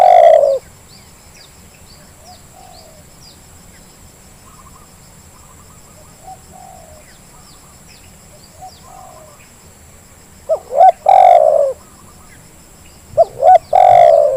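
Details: Spotted dove lure sound. A long coo ends at the start, then several seconds of near silence with distant faint notes, before two further phrases of short coos and long rolling coos near the end.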